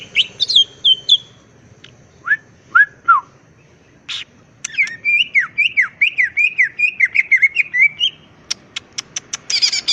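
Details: Wild greater green leafbird in full varied song, used as a lure to make other birds respond: scattered whistles and downslurred notes, a lively run of zigzag warbled notes, ending in quick dry clicks.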